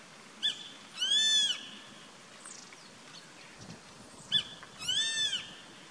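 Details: Grey-faced buzzard perched on a treetop, 14 April 2019, calling twice about four seconds apart. Each call is a sharp short note followed by a drawn-out, high, arched whistle.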